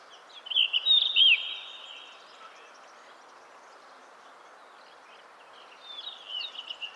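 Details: Blue rock thrush (Monticola solitarius) song: a quick, warbling, fluty phrase of slurred whistles, then a quiet pause before a softer second phrase.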